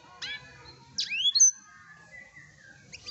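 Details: Sparse blackthroat notes from a masteran recording: a short high chirp, then a bright rising-and-falling whistled slur, and faint clicks at the close over a soft low background hum.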